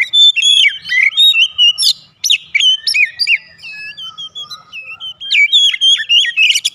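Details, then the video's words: Oriental magpie-robin singing a lure song used to prompt other magpie-robins into open singing: loud continuous whistled phrases with slurred upsweeps, harsh buzzy strokes and short chattering trills, one brief pause midway. "PANCINGAN KACER MANAPUN AUTO RESPON NGEPLONG"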